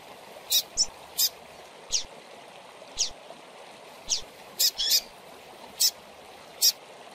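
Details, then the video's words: Double-collared seedeater chick, a young bird played to stimulate captive birds, gives about ten short, piercing, high chirps, some in quick pairs, roughly every half second to second, over constant background hiss. "FILHOTE DE COLEIRO PIANDO"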